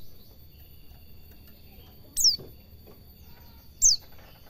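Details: White-eye (pleci) recorded as a master track for training cage birds, in the ngalas cingjuitan style: two thin, very high downslurred notes about a second and a half apart over a faint steady hum.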